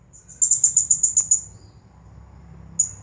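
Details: Champion Blue-crowned hanging parrot in its 'Nagih Hutang' song style: one long rapid string of about eight high, piercing chirped pulses, then a single sharp note, over a soft low hum.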